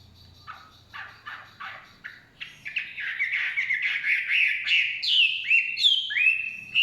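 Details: Chinese hwamei singing in forest: a series of short descending notes quickening into a rich run of warbled, rising and falling whistled phrases, with clear slurred notes at the end.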